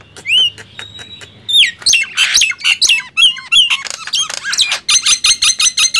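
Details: Loud gemboran singing contest between Nias hill myna and black-winged myna: upslurred whistles, then dense harsh squawking phrases, finishing with a fast run of buzzy, evenly repeated notes.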